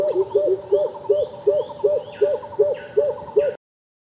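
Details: Greater coucal, also called crow pheasant: a series of ten deep, hooked hooting notes, each rising then falling, repeated about three times a second. Thin upslurred chirps of other birds sound faintly above, and the series cuts off abruptly.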